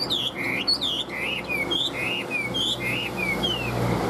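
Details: Chinese hwamei kept caged as a songbird in Vietnam, in breeding condition: clear, fluid whistles curve upward and downward in repeated phrases, alternating with thin descending slurs, all loud and close.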